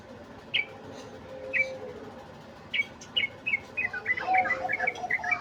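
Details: Sooty-headed bulbul singing in the chattering ngeriwik style: a few sharp, separate chirps, then a quickening, jumbled run of bright twittering notes over quiet background.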